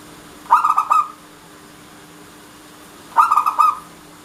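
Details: A local Indonesian zebra dove (perkutut lokal) gives two bursts of soft, rolling cooing notes about half a second long, repeated after a pause of roughly two and a half seconds, against a steady low hum.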